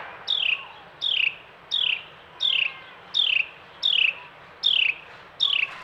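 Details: Male Carolina wren at a snowy backyard feeder during the first winter storm of the year, giving a loud whistled phrase that slides down from high to lower pitch, repeated eight times at a steady pace of about one every three-quarters of a second.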